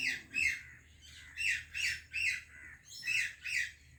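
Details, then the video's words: Pet parrot greeting another parrot: harsh, rasping squawks in short bursts, about six calls over four seconds with brief pauses between them. "Indian Parrot Greeting Pakistani Parrot | Funny Talking Parrot"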